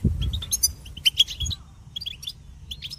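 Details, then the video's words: Goldfinch song from a bird said to imitate other birds: a quick string of sharp, high chirps in the first second and a half, then a pause and a few more scattered twitters. "the goldfinch presents songs of all singing distinctive"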